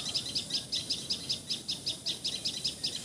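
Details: In Assam, India, a common tailorbird repeats a sharp, high chip note at an even pace, about eight notes in three seconds, over a soft background hiss.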